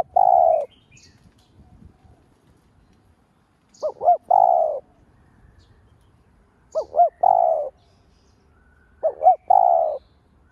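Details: Cooing spotted dove, a lure bird meant to excite other doves: a long coo, then phrases of two short wavering notes and a drawn-out coo, spaced about three seconds apart.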